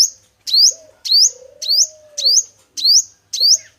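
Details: Male sunbird of the local five-coloured kind, used as a trapping lure: evenly spaced, thin, high chirps sweeping upward, six in under four seconds, with a faint low hum.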